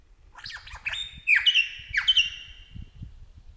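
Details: Wild Superb lyrebird singing in the Australian bush, mimicking other birds: a run of slurred, descending notes with rich overtones, repeated in quick bursts that grow louder midway, over a faint low rumble.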